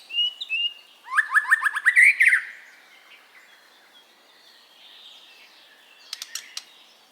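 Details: Relaxed natural murai (white-rumped shama) singing for training caged songbirds: a brief whistle, then a rapid burst of about eight sharp slurred notes, then quiet warbling and a few faint clicks.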